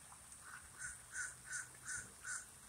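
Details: Near a lake, a common raven gives six brief rough notes at a quick even pace, the first faint and the rest louder, with low background hum.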